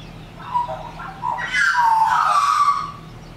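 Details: Australian magpie (Gymnorhina tibicen) singing at Cobar Caravan Park, New South Wales, Australia, on 13 January 2019: a rich, fluting warble that swoops up and down over about three seconds, with a low steady hum behind.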